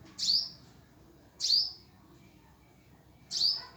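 A hummingbird gives three sharp, very high chips, spaced irregularly one to two seconds apart, against a quiet, faintly rumbling background.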